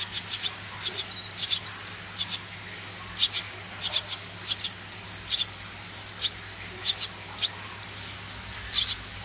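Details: Swallow chicks being reared, giving a continuous thin, high-pitched chirping that steps slightly up and down, broken by sharp clicky bursts roughly every half second to second.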